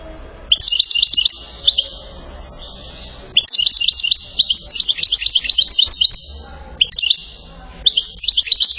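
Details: Goldfinch singing in the salasiyat style, recorded in Settat, Morocco: bursts of high tinkling twitters and rapid trills separated by short quiet gaps, a faint low hum underneath.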